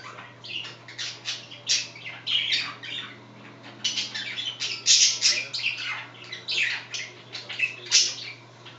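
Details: Pet budgerigars, two of them, chat indoors beside a third bird scratching at its favourite spot, producing a long run of chirpy, grating warbles and sharp clicking squeaks in uneven bursts.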